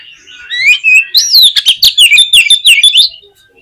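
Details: Oriental magpie-robin song, used as a lure to stir a pet bird into singing: loud rising and falling whistled phrases that break into a rapid run of sharp, clicking staccato notes, about a dozen in under two seconds, on a quiet background.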